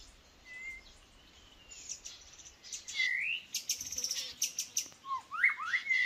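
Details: White-rumped shama used as a decoy bird for trapping, singing quietly: clear rising and falling whistles with sharp upswept notes and a few chattering clicks, set against faint background noise.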